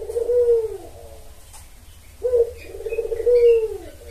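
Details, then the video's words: Spotted dove lure call meant to attract males: two low, throaty cooing phrases, the second a stuttered note followed by a long level coo, with faint high chirps of other birds. "Pancingan Tekukur Memanggil Pejantan"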